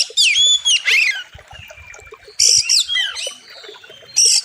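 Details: Oriental magpie-robin from a sharp, full-phrased master recording for training birds, by a wild river. Loud arching whistles and buzzy rattles open the clip, return after a quiet stretch, and end with a bright burst.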